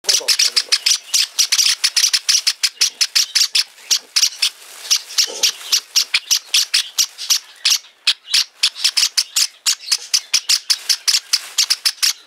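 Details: A hand-reared Java sparrow chick on a futon gives harsh, high, raspy chirps, about four or five a second, in a steady unbroken stream.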